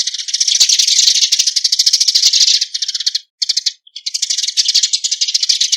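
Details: Eurasian tree sparrow (Passer montanus) flock call, giving dense, rapid, dry chattering chirps, high and harsh, in near-continuous bursts with two brief pauses; nothing else heard.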